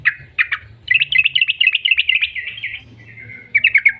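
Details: Yellow-vented bulbul singing as a lure for other birds: two short sharp notes, then a long rippling run of quick bubbly whistles, a held tone, and a fresh burst at the end.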